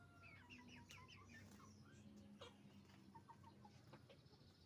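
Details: Roosters and hens at a chicken farm: a run of fast, stuttering high clucks early on, then sparser short notes, over a strong steady low machine-like hum.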